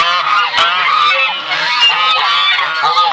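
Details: Buff Sebastopol goose and goslings together: thick clamour of nasal honks with a few short upward-slurred high calls, unbroken loud chorus throughout.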